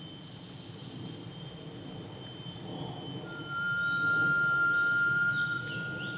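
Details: A Rail-babbler in Panti Forest, Johor, Malaysia, circling people who whistle to it; a long, pure, steady whistle held about three seconds, rising slightly at the end, amid high insect buzzing. The loudest whistles are human; the bird's are fainter.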